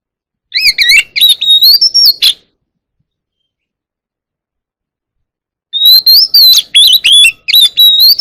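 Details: Oriental magpie-robin singing in a forest-style voice to call the flock. Two bursts of fast, loud whistles and warbled trills are split by about three seconds of silence.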